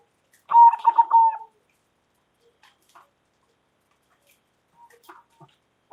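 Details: Loud-voiced local zebra dove giving a call that provokes answers: a bubbling series of four or five quick pulsing coos merging into a longer sliding note, then faint scattered ticks and near silence.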